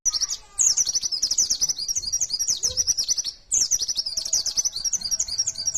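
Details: Energetic wild-type mountain white-eye (pleci) pouring out a rapid 'nembak' lure song of high, sharp, twittering notes in quick runs, broken by two short pauses.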